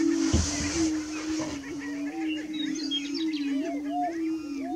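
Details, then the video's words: Prairie chickens at dawn on 30 March 2018. A steady low droning tone lasts throughout, with a brief thump near the start and scattered rising, whistled whoops and chirps layered above. "Prairie Chickens"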